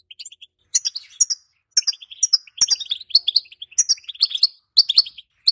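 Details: Caged female European goldfinch calling to stimulate males to sing and mate; quick, bright twittering chirps and short tinkling phrases in irregular bursts with brief pauses, a clear indoor recording.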